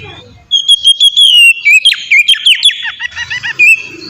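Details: Oriental magpie-robin in ngeplong song, offered as a lure for caged birds: a long, clear whistle drifting slightly downward, then a rapid run of sharp chirps and short twisting notes.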